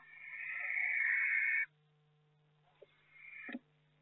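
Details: Barn owl at a nest box in May, with eggs hatching and a third owl visiting at night, gives a long, harsh, hissing screech over a second long, then a softer, shorter hiss, over a low electrical hum.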